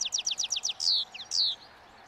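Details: Wild European goldfinch feeding on last year's thistle seeds by a roadside as spring approaches, in breeding song: a fast run of short descending chirps, then drawn-out high buzzy notes and twitters.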